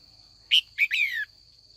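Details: Female red-whiskered bulbul in afternoon training, calling to provoke older wild-caught males into song: a single quick phrase of three notes, a sharp chip and two longer downward-sliding whistles, over a steady high hum.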